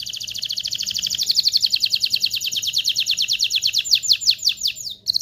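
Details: High, rapid canary trill, notes rolling together then gradually spreading and dropping in pitch over five seconds; song meant to prepare male and female canaries for mating, with a faint low hum behind.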